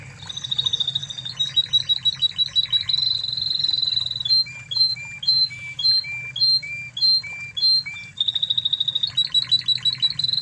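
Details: Original Spanish Timbrado canary from Spain, in a master recording for training other canaries: a sustained high rolling trill, then paired chirps alternating with lower whistled notes, closing with another rolling trill over a steady low hum.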